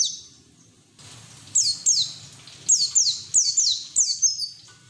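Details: White-eye (pleci) twittering song used as training audio for other white-eyes; after a quiet second, bursts of high descending slurred notes follow in quick succession, about three to four per second.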